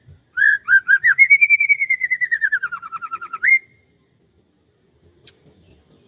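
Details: Birdsong on a morning in rice fields: a few whistled notes lead into a long rapid trill of about twenty notes, first rising then slowly falling, ending with an upswept note.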